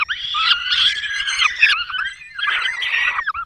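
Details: Peregrine falcons nesting in the Barycz Valley, Poland, in May 2022, the male bringing a small bird and the female feeding chicks; raspy, noisy wailing in two main bursts with a brief lull between.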